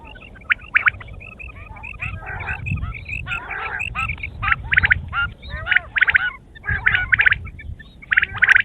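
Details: A group of quail gives raspy, nasal chatter and squeaky notes in uneven bursts, becoming denser and louder in the second half.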